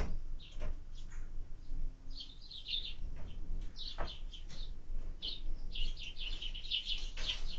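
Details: Evening feeding of a sparrow at a feeder, 20 February 2024: bright, high chirps repeated in quick clusters throughout, broken by a few sharp knocks, over constant low-pitched background hum.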